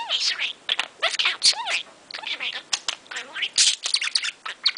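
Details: Caged male budgie chattering nonstop in the morning, wide awake after music: dense run of raspy, speech-like syllables mixed with squeaky whistles and clicks, barely a break between phrases.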